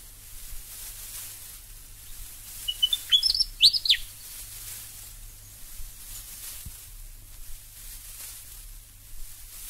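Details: Willie Wagtail in Australia: one short burst of quick, sharp, chirping notes lasting about a second and a half, jumping up and down in pitch, then quiet, set against steady tape hiss and a low hum throughout.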